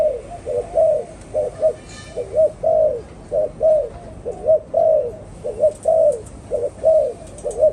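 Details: Spotted dove cooing: soft, low, tonal coo notes, some slightly rising or bending, delivered in a steady run about twice per second, over a faint high hiss in the background.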